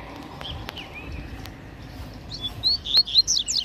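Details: Wild double-collared seedeater in Brazilian scrub beside a fence, singing in a contest with a caged male, with a female close by. After a quiet, rustling start comes a fast burst of high, sharp, twittering notes in quick succession.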